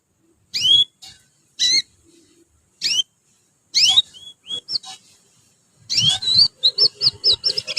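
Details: Flock of young canaries learning their song, used as a training lure: a run of bright, high, downward-sweeping chirps about a second apart, then a quick series of short repeated notes, slightly rattling.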